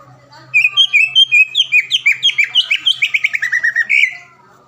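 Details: Greater green leafbird (cucak ijo) singing to provoke a rival into song: a clean, fast series of about twenty bright, slurred whistled notes that gradually descend, delivered in one continuous burst.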